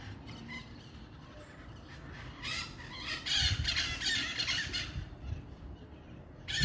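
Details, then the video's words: Many maritaca parrots calling at dusk in Pirassununga, São Paulo, on 11 April 2024; harsh squawks and squeals from the flock swell in a dense burst midway, over a low rural background rumble. "Entardecer com muitas maritacas"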